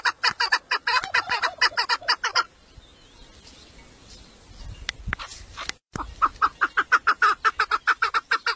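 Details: Tame female chukar, a village 'mari' hen whose call draws in males, gives bursts of quick harsh clucking notes, pauses amid low rustling and a brief cutout, then resumes the rapid series.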